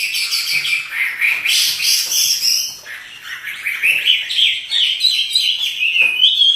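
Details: Chinese hwamei, a kept cage bird in full song while dancing, pouring out a rich, loud stream of varied whistled and slurred phrases with no pauses.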